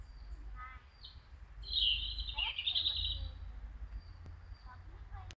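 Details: European robin (Erithacus rubecula) singing at a street crossroads in Kharkiv: a thin opening note, then a brief, high, tinkling phrase of quick warbles and falling trills, over a low rumble of background noise.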